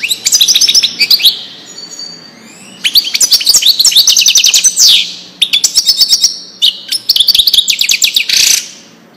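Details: Widani-style song of a European goldfinch played to teach fledglings and hybrids: fast liquid twitters and buzzy trills in three long bursts separated by short quieter gaps, ending on a descending slurred note.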